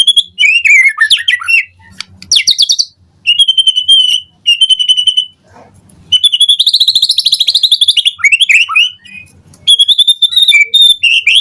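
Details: White-rumped shama singing in the morning, used to make birds respond: loud descending slurred whistles, held whistled notes, then a long rapid buzzy trill followed by more whistles and chatter.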